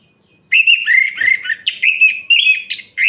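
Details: Orange-headed thrush singing at night to provoke other males: a loud run of varied whistled phrases, rich and warbling, with quick rising and falling notes and short buzzy inserts following each other without pause.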